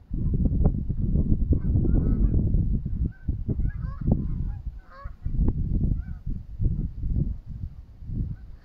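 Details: Canada geese together at a pond give a busy, overlapping run of nasal honks, several per second, over a low rumble of background noise.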